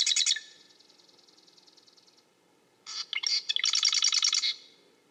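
A marsh wren gives a harsh, buzzy rattle, then a fainter rapid trill. After a pause comes a longer, dry, reeling rattle of fast repeated notes, with a quiet background.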